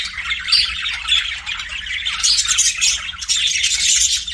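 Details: Pet budgerigars chirp in a thick, continuous chatter of buzzy warbles and short bright whistles, growing busier toward the end, with faint hum below.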